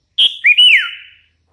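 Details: Hand-raised sooty-headed bulbul giving one clear song phrase: a short high whistle, then a rising whistle that arches and slides downward, ending in a long fading tail.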